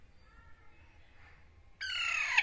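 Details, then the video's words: A young parrot gives a single harsh, grating squawk near the end, loud and broadband after a quiet stretch with faint tonal hum, part of baby parrots communicating with each other. "Baby parrots talking to each other | Baby Parrot Voice"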